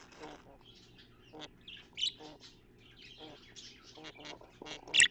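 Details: Pet budgerigar cleaning out its nest box, viewed through a mirror, dated 3.11.15: short harmonic chirps and squeaky notes at irregular intervals, one sharp louder chirp near the end, with soft scratching and rustling between calls.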